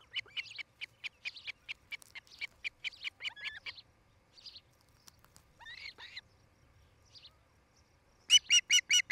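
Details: Osprey at a nest in Charlo, Montana, on a nest camera, 8 July 2018 between 17:00 and 18:00: a steady run of short whistled chirps, a pause with a few scattered notes, then four loud chirps to close.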